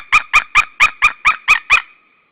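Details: Eight clear, evenly spaced yelping cries from a white-tailed eagle pair calling together at the Saunja nest, Estonia, 16 March 2013, roughly four per second and then stopping abruptly.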